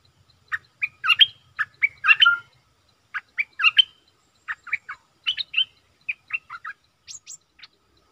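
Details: Decoy Streak-eared bulbul, used to lure wild birds and coach young ones: a long, varied sequence of short bubbly and chattering notes in loose groups, ending with a few thinner, higher notes.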